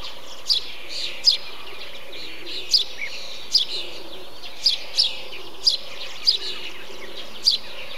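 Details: Eurasian tree sparrow in a bee-eater colony giving short, bright, downward-sliding chirps, singly or in quick pairs, roughly every second over a steady low background hum.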